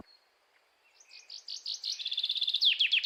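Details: Common chaffinch song in Europe: a strong descending series of repeated notes building in loudness, accelerating into a bright rhythmic trill of sharp, quickly repeated phrases near the end.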